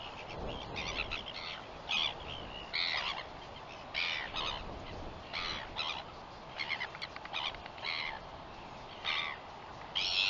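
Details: Northern royal albatross recorded on 21 September 2021: harsh, broadband squawking bursts, single and in short clusters, spaced irregularly every one to two seconds over a steady background hiss.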